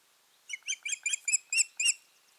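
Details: Osprey pair at the nest on 14 June 2019; a quick run of about seven sharp, piping whistled notes, each with a bright ringing overtone, rising slightly in strength toward the end.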